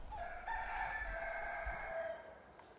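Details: Farm chicken recorded with natural sounds and no music: one long, loud crow lasting about two seconds, strained and harmonically rich, held fairly level before fading away, over a faint low background rumble.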